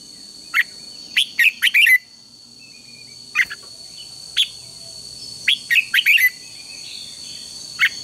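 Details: Red-whiskered bulbul in contest-training song: a rapid burst of four warbled notes, then isolated single chirps, another fast four-note burst, and a final lone chirp, over a constant high-pitched hum.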